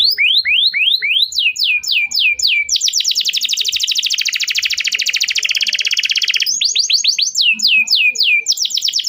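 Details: Canary (kenari) song to encourage non-singing canaries: series of sweeping downward chirps, a long fast rattling trill of high notes, then more repeated swept chirps.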